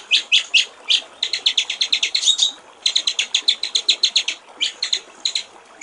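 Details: White-rumped shama song from a master recording for training songbirds, described as a clear voice with 'gericik air' water-trickle fill phrases; rapid high chattering notes in quick bursts, with short pauses between runs, over a faint hiss.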